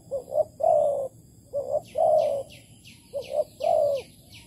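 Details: Spotted dove calling in Malaysia during decoy bird trapping, 11 August 2020; three steady phrases of two brief coos followed by a drawn-out, wavering coo, over a rapid series of high, thin, downward-sweeping chirps.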